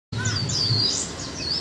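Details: Japanese white-eye, caged for one month and kept as a male-female pair, giving a quick chattering twitter of high, thin, sweeping whistles that rise and fall continuously, with a low hum underneath.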